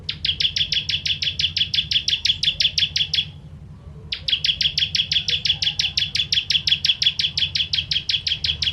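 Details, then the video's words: Bar-winged prinia, called ciblek kristal in Indonesia, sings its fiery tembakan pedas song as a master for songbird training: a long, steady stream of sharp buzzy chips, a brief pause, then another extended run. "Ciblek Kristal Tembakan Pedas"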